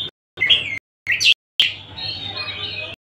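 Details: Oriental magpie-robin (kacer) from Tasik singing: short bursts of bright chirped and whistled notes, separated by brief silent gaps, ending in a longer sustained, slightly wavering high note.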